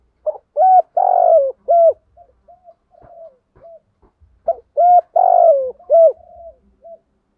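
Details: Spotted dove kept as a decoy, calling to stir up rivals: two full cooing phrases about four seconds apart, each a short note, a long rolling coo and a clipped final note, with quiet soft coos in between.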